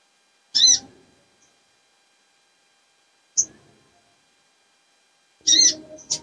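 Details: Female little spiderhunter in breeding condition calling for males, giving three isolated high, sharp chirps several seconds apart, the last a doubled note, with silence between.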